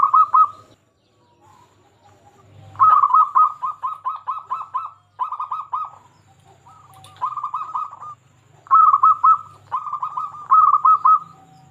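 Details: Persistent local zebra dove song meant to provoke silent doves into singing: several rapid stuttering phrases of soft, evenly repeated coos, separated by pauses, with a faint low hum beneath.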